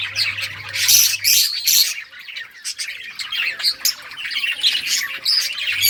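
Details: Budgerigars chirping while they play: loud bursts of harsh squawky chatter followed by quieter, quick warbling notes from several birds.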